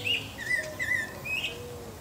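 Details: Pale-breasted thrush (Turdus leucomelas) in Brazil singing short, clear whistled phrases, four quick notes with slight slurs, separated by brief pauses; faint background hiss.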